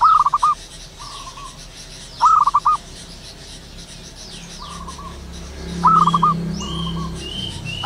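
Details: Wild local zebra dove singing in the morning: stuttering coo phrases of rapid notes every couple of seconds, softer single coos between, a low rumble joining later and faint high bird whistles.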